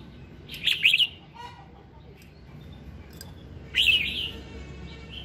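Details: Red-whiskered bulbul giving morning song to rouse other birds into singing: two lively warbled phrases of quick slurred whistles about three seconds apart, with faint low sounds between.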